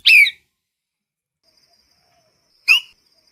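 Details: Two separate sharp parrot squawks, one at the start and one near the end, each brief and harsh with a dipping pitch, separated by a long quiet gap with a faint thin high tone.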